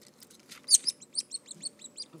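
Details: Woodpecker chicks being fed beg with a rapid run of thin, high chirps, about six a second, each with a quick downward flick.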